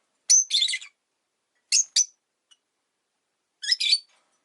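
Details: Rosy-faced lovebird, one of five pets kept in a cage by a window, calling freely in winter: three bursts of sharp, high, buzzy chirps spaced over about four seconds, with silence between.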